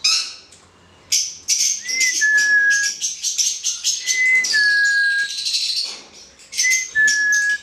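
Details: Hand-reared male black-headed caique kept in captivity mixing harsh, buzzy high screeches with clear, pure whistled notes that rise slightly then hold steady, repeated three times.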